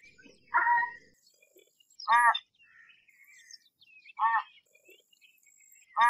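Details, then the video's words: American white ibis calling four times, each a short, hoarse, honking note spaced roughly one to two seconds apart, with faint chirps between them. "American White Ibis Call Sound"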